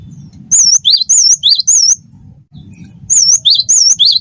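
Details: Clear wingko song of a cinereous tit: looping high whistles alternating with lower downward-swooping notes, about five in each burst, two bursts divided by a brief pause, low rumbling sound in the background.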